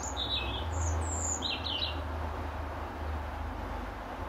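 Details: European robin defending territory from its apple tree perch at dusk, delivering several rapid high trilled and whistled notes in quick succession, accompanied by a low steady hum and broad background noise.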